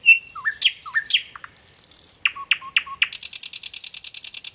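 A nightingale sings varied phrases: a pure whistle, quick swooping notes, a buzzy burst, then a fast, high, rattling trill of about twenty notes. No other sounds.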